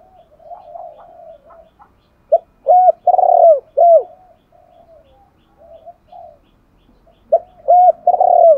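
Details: Spotted dove decoy cooing to lure wild doves: soft murmured coos lead into a loud rolling four-note phrase, more quiet coos, then the loud phrase begins again.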